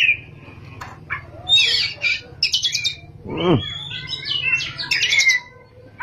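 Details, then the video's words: Oriental magpie-robin singing in ngerol and nembak styles: buzzy trills and whistled phrases, including a descending swoop, against a constant low background hum. "kacer gacor ngerol,nembak"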